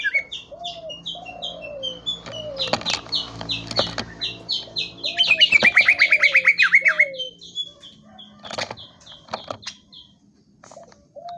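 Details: Greater green leafbird song of varied chirps and high notes building into a loud, fast burst of repeated descending buzzy notes, with slower lower-pitched slurred whistles and clicks around it.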